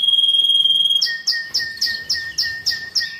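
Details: Excited canary singing to prepare birds for breeding and teach youngsters: a rapid steady roll, then a string of sharp descending notes repeated about every quarter second over a low steady whistle.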